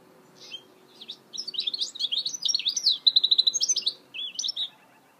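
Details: Goldfinch hybrid (mule) singing a fast, twittering phrase of high buzzy trills and slurred chirps, building to a rapid repeated run of notes before short closing twitters, over a quiet, faint hum.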